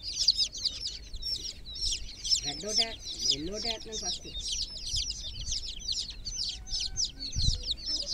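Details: Chicks in a water pool peep in a shrill, overlapping chorus, with brief speech in the middle and a low thump near the end.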